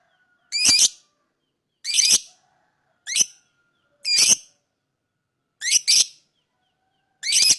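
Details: Shrill, high-pitched lovebird chirps, six harsh bursts over several seconds at uneven intervals, one a quick doubled note, with clean silence between them.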